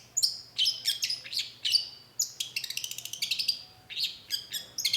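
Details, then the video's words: Cendet, or long-tailed shrike, in a lure song: dense, rapid chatter of buzzy, clicking notes running into fast ticking trills, over a faint low hum. "cendet gacor PANCINGAN LANGSUNG NYAUT || Long-tailed Shrike"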